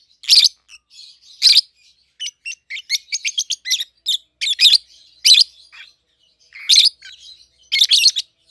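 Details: Pair of captive-bred peach-faced lovebirds, a red-headed green opaline and a red-faced dark green, aged 7-8 months, kept together since hatching; sharp shrill chirps in bursts, loud squeaky notes roughly every second with quicker chatter between.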